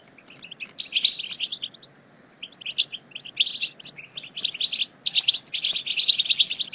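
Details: Twittering European goldfinch chatter, the local batbata style meant to prompt quiet goldfinches to sing: scattered bursts of quick high chirps and buzzy notes with short gaps, ending in a denser, thicker run.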